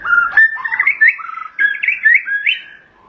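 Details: White-rumped shama from Thailand, a kept songbird, singing rich whistled phrases that rise and fall between low and high notes, delivered in two bursts with short pauses between them.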